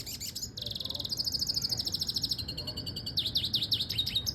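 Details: A double-dilute red siskin, recorded as a tutor song, sings a fast, high twittering song: rapid buzzy trills followed by a string of sweet rising-falling chirps, about three notes per second.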